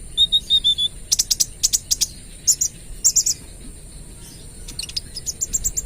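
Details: Olive-backed sunbird, trotol form, singing gacor for use as a lure: a row of short level whistles, then loud machine-gun bursts of high chirps, then soft rapid ticking notes.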